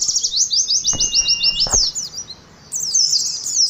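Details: Ngalas-style song of an Oriental white-eye: a dense burst of very high, quick, zigzagging chirps. A few soft low knocks sound in the middle. After a short quiet gap the energetic twittering comes back.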